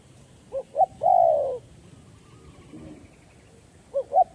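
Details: Decoy spotted dove calling to lure wild doves for trapping: two short rising hoots, then a long, drawn-out, slightly falling coo, with the two short hoots starting again after a pause; low background hiss.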